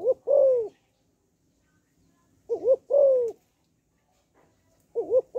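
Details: Female spotted dove calling to rouse males, repeating low mellow phrases roughly every 2.5 seconds: a rapid undulating pair of notes, then a long gently descending coo, with a quiet background.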